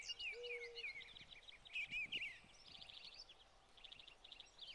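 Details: Spring 2020 feeder scene where summer-plumage American goldfinches and a few pine siskins eat sunflower hearts; bright descending slurred twitters and rapid high chips, one low soft coo early on, with feeder clicks.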